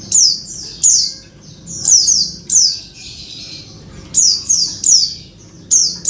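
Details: Female oriental white-eye calling to a male, with sharp, very high, descending buzzy notes in short clusters and irregular gaps, plus one longer hissing burst midway.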